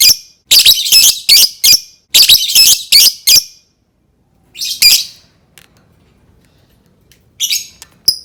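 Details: Lovebird sound used to encourage other lovebirds to sing: two fast bursts of loud, harsh, shrill squawks, about five each, then scattered single squawks and a short high chirp.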